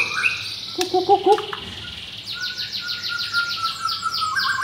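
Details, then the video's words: Adult brown-pied (blorok) white-rumped shama, a caged bird in Jakarta, Indonesia, pitted against a rival. A short clear whistle and low chattering notes lead into a thin, rapid series of high buzzy strokes over a steady faint whistle. "Murai Batu Pastol Blorok Extreme Double Ring Apbn Bnr Gacor"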